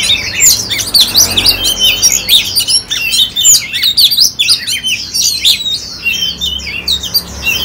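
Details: Oriental magpie-robin kept as a cage bird in Ho Chi Minh City, Vietnam, singing a dense, continuous stream of high whistled and twittering notes with rapid slurred phrases.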